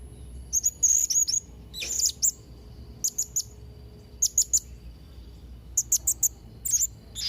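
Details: Actively singing Blue-crowned hanging parrot gives rapid bursts of three to five very high, sharp squeaky notes, spaced a second or so apart, plus one longer buzzy rising phrase.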